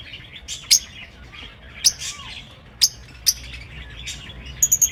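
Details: Aviary lovebirds giving sharp, high, clipped chirps, spaced irregularly about a second apart, ending in a quick run of three piercing notes, with soft twittering from other birds behind.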